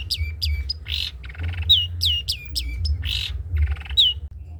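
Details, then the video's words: Long-tailed shrike in trotol song, recorded as a model for other birds: sharp downslurred whistles in quick pairs alternating with harsh, grating bursts and a faint rattle, over a steady low hum. "CENDET COCOK DIBUAT MASTERAN BURUNG CENDET TROTOL"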